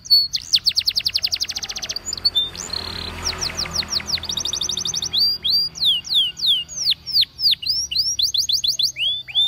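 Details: Canary singing for Waterslager training, opening with a fast, even trill of high notes, then a brief rough noisy patch, followed by spaced, looping downward-curving whistles and clipped chirps.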